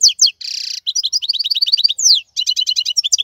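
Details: Wild European goldfinch, presented as the strongest singer of the 2022 season, delivering fast, bright twittering notes, a dense buzzy rasp, then rapid repeated metallic chirps and high descending slurs.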